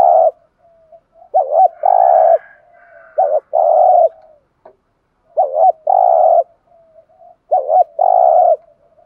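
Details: Spotted dove used as a lure bird, giving its urging 'thúc gù' coo to provoke other doves: a quick hiccuping double note, then a long, low, steady coo. The phrase repeats about every three seconds, with soft faint notes between.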